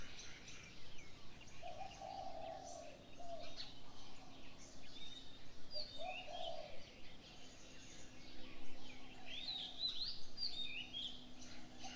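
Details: Morning bird sounds: a few soft low coos early on, then a burst of high twittering chirps, over a faint steady hum and background hiss.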